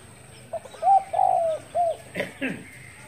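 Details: Spotted dove cooing in the morning, recorded 10 February 2021: a short soft note, then three mellow hooting coos, the middle one drawn out and falling, followed by a brief harsher rustle or chirp near the end.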